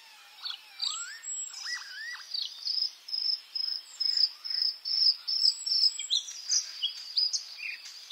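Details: White-spotted bluethroat (Luscinia svecica cyanecula) singing in May: it opens with a few varied rising and sliding whistles, then shifts into a rapid, high, buzzy phrase repeated about twice a second for the rest of the song.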